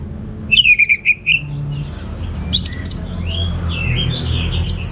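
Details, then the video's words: Orange-headed thrush giving a brief run of five quick chirped notes, followed by softer scattered notes and sharp high calls over a low hum. "Suara Gacor Burung Anis Merah Teler Materi Melimpah"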